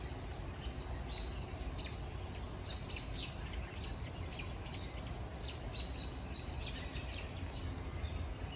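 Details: Bird calling on a rainy day: short, high chirps repeated steadily, several per second in places, over a constant hiss and patter of rain.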